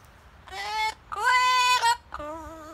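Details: A blue-fronted Amazon parrot outdoors gives three drawn-out, tuneful, song-like notes in under three seconds, the middle one longest and slightly rising, almost like a person singing.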